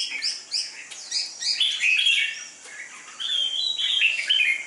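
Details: Competition-grade red-whiskered bulbul ('chào mào mộc đỏ'), dark-bibbed and fierce in contests. It sings quick, lively, chirping phrases, then longer slurred whistles that rise and fall, with short gaps between bursts.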